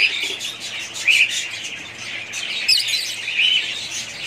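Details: A budgerigar family flock gives short, clear whistled chirps over a busy background of soft chatter. Distinct bright notes stand out about once a second.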